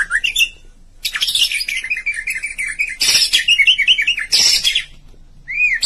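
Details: White-rumped shama chirping: dense, loud warbling with rapid trills and noisy bursts, a short silence, then a sharp arched whistle.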